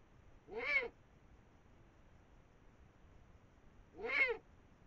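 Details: Eurasian eagle-owl pair above the Moselle valley at 5 am on 21 March 2022, female and male eating a brown rat: two short, harsh, nasal calls about 3.5 seconds apart, each rising then falling, over faint hiss.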